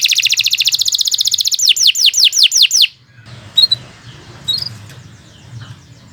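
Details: Canary in long singing for tutoring birds: a fast, even trill runs into five loud downslurred whistles, then the song stops, leaving faint distant chirps and quiet background.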